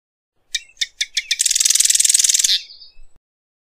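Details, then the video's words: Marsh wren singing: a few separate sharp ticking notes speed up into a fast, dense, buzzing rattle for about a second, ending in a fading trill and a couple of soft clicks. "Marsh Wren Song! Marsh Wren Call!"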